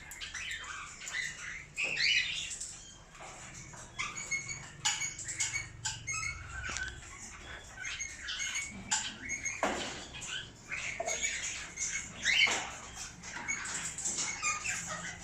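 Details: Breeding pair of cockatiels in an aviary giving harsh, scratchy squawks and short chirps in irregular bursts, with occasional wing flutters and a low background hum.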